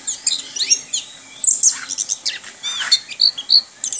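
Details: Kept orange-headed thrush pouring out a rich jumble of high whistles, buzzy rattles and swooping slurs, with short sharp notes punctuating the rapid, rolling song.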